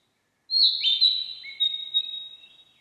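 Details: A single long Narcissus flycatcher phrase: a sharp high whistle that holds steady, then breaks into fluttering lower notes that fade over about two seconds, with no other sounds.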